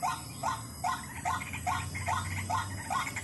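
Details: White-breasted waterhen call played as a lure: short, rising, croaking notes repeated steadily about every half second, over a constant low hum and background hiss.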